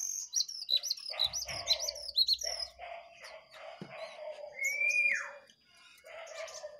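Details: Song duel of one wild jongkangan against two caged birds: quick, repeated high chirps and trills, then a clear rising whistle swooping down, mixed with lower buzzy notes from other singers.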